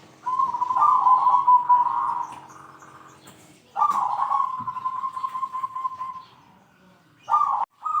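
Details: Zebra dove (perkutut) with a big 'kung' voice, calling out rivals: a long rolling, trilled coo held for about two seconds, a second long trilled phrase after a pause, then a short burst at the end.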